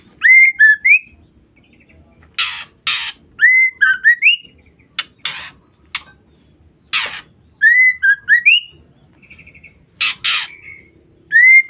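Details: Female white-rumped shama calling to bait and provoke males. Short groups of upslurred whistles alternate with loud, harsh rasping bursts, repeated several times at irregular intervals over about twelve seconds.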